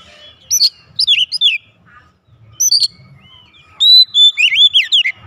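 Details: Home-kept oriental magpie-robin answering straight away with loud, vigorous song: bursts of sweet, slurred whistles and sharp high notes in three spaced clusters, with quiet pauses between and a faint low murmur underneath.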